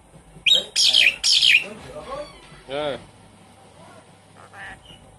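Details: Javan pied starling, caged pet, sung as a lure for a bird that has stopped singing; three loud grating bursts early, then softer whistled and warbling notes trailing off, over a faint hum.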